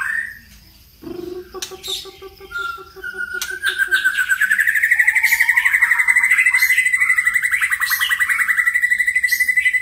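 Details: White-rumped shama in full, prolific song with many voices: varied clear whistles and notes, then a long, loud, rapidly pulsed buzzy trill held steady for several seconds.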